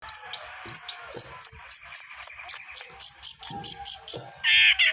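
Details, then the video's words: Long-tailed shrike singing vigorously, used to prompt other birds that have stopped singing to sing again; a steady run of short, high, sharp notes about every third of a second, closing with a harsh buzzy burst. "Burung pentet gacor bikin burung yang macet jadi gacor lagi"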